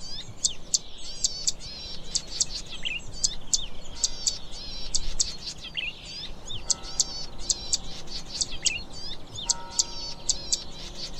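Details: Zitting cisticola, also called streaked fantail warbler (Cisticola juncidis): sharp, high ticking notes repeated every third to half second through the clip, over a busy background of other birds' warbled, wavering and trilled phrases.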